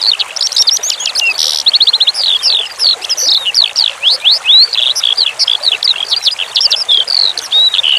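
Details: Eurasian skylark (branjangan) tutoring song with a flowing-water background: an unbroken, hurried stream of high chirps, slurred whistles and short rattles, with very varied phrasing and no pauses, loud over a soft trickle.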